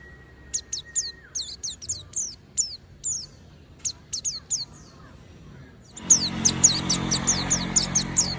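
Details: A nonstop oriental white-eye song, aimed at drawing other white-eyes into singing: sharp, high, descending notes in quick bursts with a brief steady tone early on, then an abrupt switch to a noisier recording of the same rapid falling notes.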